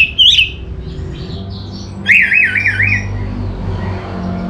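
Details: Orange-headed thrush (anis merah) song: a short wavering whistle opens, then after a pause a clear looping phrase of three or four undulating whistled notes, over low background rumble.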